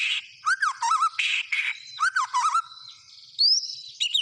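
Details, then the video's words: Murai batu, the white-rumped shama, sings gacor style: low looping warbled phrases alternate with short raspy bursts, repeated twice, then a rising bright whistle and a final sharp chirp. "SUARA BURUNG MURAI BATU GACOR"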